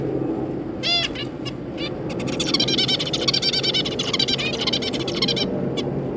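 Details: Zebra finches, a pair with their three juveniles, recorded 3 July 2022: a single loud nasal, trumpet-like call, then a rapid jumble of short nasal notes from several birds for about three seconds, over a low steady hum.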